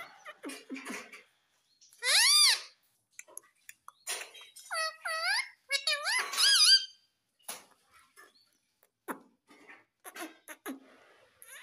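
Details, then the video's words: Parrot talking, said to say "Mummy Papa": loud upward-sweeping squeaks and a few bent, curling syllables in short clusters, with scattered quiet clicks and soft low sounds between them. "Mummy Papa Bolne Wala Parrot || Cute Parrots || Talking Parrots"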